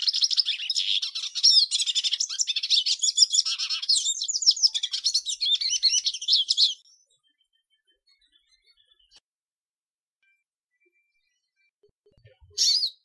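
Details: Hooded siskin (Spinus magellanicus) metallic song used to tutor young birds: a rapid, high, metallic twittering stream of trills and chirps for about seven seconds, then silence and a brief final burst.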